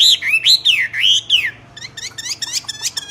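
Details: Common hill myna in strong song, opening with loud wavering whistles that swoop up and down, followed by a quicker series of short clipped notes.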